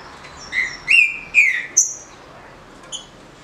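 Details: Green-winged saltator, captive, in canto fácil 'de roda' style: three loud, clear whistles with strong overtones, followed by a sharp high note and one faint final whistle.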